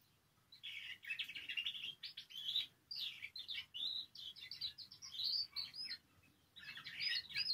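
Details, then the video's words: Canary singing to stimulate other canaries' song: bursts of quick warbled chirps and trills separated by short pauses, over a low background hum. "Canario Cantando. (Ideal para ESTIMULAR canto de canarios)"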